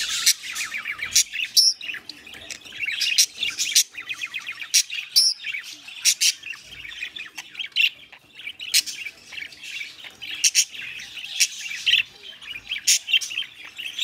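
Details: Pet budgerigars mating, giving dense high chirping chatter with rapid warbled notes and sharp clicks, continuous throughout with short louder squawks breaking in.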